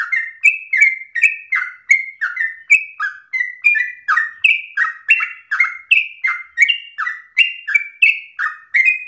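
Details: Long, insistent song of a yellow-vented bulbul, offered as an easy phrasing for untrained bulbuls to copy. A steady stream of short chirped notes alternates high level whistles with lower falling slurs, roughly two per second.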